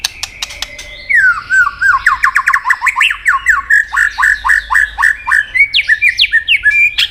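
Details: White-rumped shama in competitive song: after a few clicks, a fast regular train of about twenty loud, sharply slurred notes, roughly three per second, rising and falling in a rattling rhythmic run.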